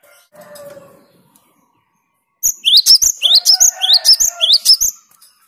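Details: Gelatik batu (cinereous tit) in full, clear song that provokes opponents. A soft low murmur comes first, then a pause, then rapid, regular upslurred whistles, each followed by a high sharp note, with a faint low tone underneath.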